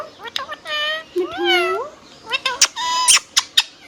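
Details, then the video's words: Pet rose-ringed parakeet, hand tame, uttering a short string of nasal, harmonic word-like sounds with a drawn-out rising syllable, then sharp clicks, indoors. "Hand tame Parrot Talking video | Mithu Tote Ki Awaaz"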